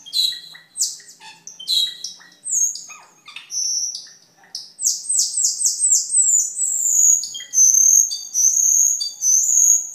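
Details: Cucak keling, a caged songbird used as a tutor for other birds and for trapping, starts with scattered sharp chips and rattles, then rapid repeated descending notes flowing into long, high, wavering whistles.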